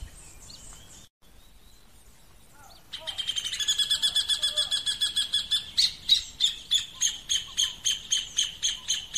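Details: Rufous hornero calling while building its nest. After about three seconds of quiet background, a loud ringing series of sharp, high notes starts, at first rapid and run together, then slowing into evenly spaced pulses.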